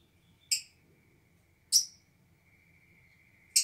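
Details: Old breeding pair of black-cheeked lovebirds in an aviary, with a nest all year but no breeding for three years. Three short, shrill, sharp chirps come at irregular intervals over a faint low hum.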